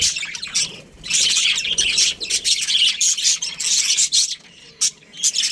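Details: Australian budgerigar breeding pair in captivity: a few short chirps, then extended high, raspy chattering and twittering phrases with brief gaps between.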